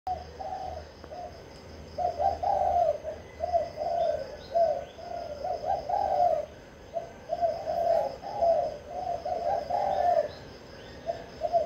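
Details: Spotted dove, a caged bird, cooing in soft low phrases of several notes with short pauses between them, repeated throughout, over a faint steady hiss and hum.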